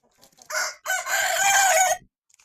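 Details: Rooster among chickens eating in the morning crows once: a short opening note, a brief break, then a long, loud, raspy drawn-out phrase lasting about a second, followed by silence.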